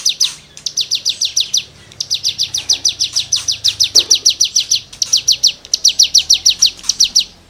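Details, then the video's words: Cigun in lively 'gacor' song, used as training material for songbirds: repeated bursts of rapid, buzzy high falling notes separated by short pauses, fairly loud and clean against faint background. "CIGUNG GACOR FUL NEMBAK MATERI GESEKAN"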